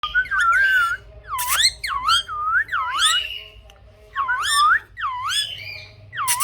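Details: Pet parrot indoors in a small room giving loud, harmonic, swooping calls, each dipping and rising in a U-shape, in bursts roughly every second with short quiet gaps between.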